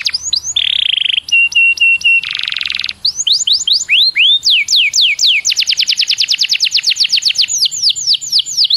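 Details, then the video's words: Canary song used as a lure to get other canaries singing quickly and prolifically: buzzy held tones, steady piping notes, a dense rolling trill, then rapid rising and falling whistled sweeps repeated several times a second, loud and clear. "PANCINGAN KENARI BIAR CEPAT GACOR"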